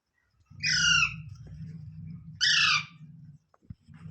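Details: Parrot giving two loud, harsh, banded squawks about one and a half seconds apart over a steady low mechanical hum.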